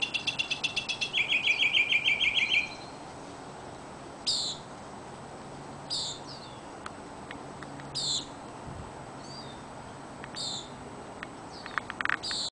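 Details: Songbird outside a window, known for singing at 3 a.m. but recorded around noon; a fast, rattling, warbled trill for about two and a half seconds, followed by sparse, sharp high chirps every couple of seconds over quiet background.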